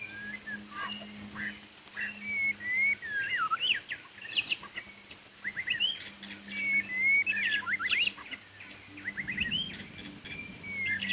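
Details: A white-rumped shama sings while bathing in rain: varied whistled phrases with quick slides, then dense bursts of rapid chattering notes, a steady high hiss and low hum underneath.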